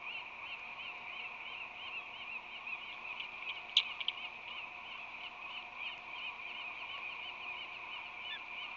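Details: Ospreys at a San Francisco Bay nest, early morning on February 20, 2020, during a visit by an unknown female and courtship mantling by the resident bird: continuous looping, whistled chirps repeated rapidly over a constant mechanical hum, one sharp click midway.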